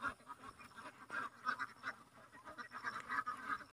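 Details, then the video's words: Soft, fairly distant duck quacks come in short, hoarse bursts from several birds, spaced irregularly. "Duck sound| Drake sound| Duck roar | Duck hic |duck quack |"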